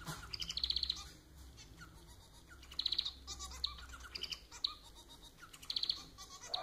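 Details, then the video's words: Pet society finch, Lonchura striata domestica, singing: bursts of rapid high buzzy-chattering notes, each phrase under a second, repeated roughly every one to two seconds with quieter twittering between. "Vídeo para fazer seu MANON cantar muito!"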